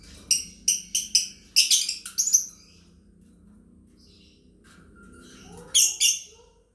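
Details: Lovebirds chirping together, a master song for training: a rapid series of sharp high chirps running into a harsh burst, quiet soft notes, then another loud chirp pair.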